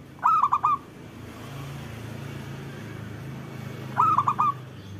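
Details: Local zebra dove cooing meant as a lure for silent doves; two four-note rolling phrases nearly four seconds apart, with a low rumbling hum in the background.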